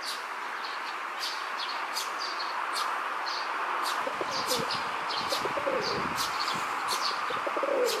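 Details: Male rock dove in a park, throat puffed while courting a female, gives low rolling coos in the second half after a quieter start; sharp high chirps from other small birds run throughout.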